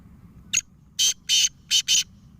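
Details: One full call phrase from a black francolin: a brief sharp opening note, then four loud, buzzy, grating notes in two pairs, with a faint low hum underneath.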